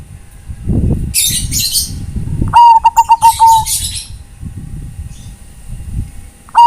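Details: Zebra dove, Bangkok type, calling to companions with one quick run of staccato cooing pulses ending in a longer note, over low rumbling noise and scratchy higher chirps, another phrase just beginning at the end.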